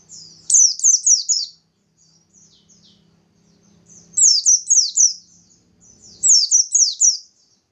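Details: Bustomi white-eye singing hard, a lure to get other white-eyes singing. Three fast bursts of piercing, high, down-slurred notes are separated by soft twitters. A low background drone sits beneath.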